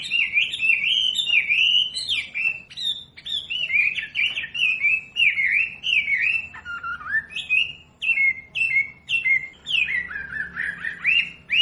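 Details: Long, varied wambi song used to train caged birds: rapid chains of whistled and chirped notes, rising and falling, with brief pauses between bursts.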